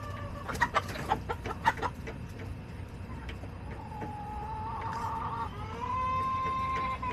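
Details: Backyard hens and rooster on July 18, 2024; a quick series of sharp clucks in the first two seconds, then a rising drawn-out call building into a long, steady, harmonic crow at the end, over low background rumble.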